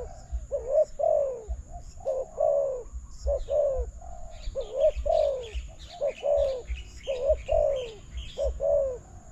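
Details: Spotted dove cooing at a decoy in a trapping contest: rhythmic low, mellow coo phrases repeated continuously, while small birds chirp higher in the background and a thin steady high whine runs throughout.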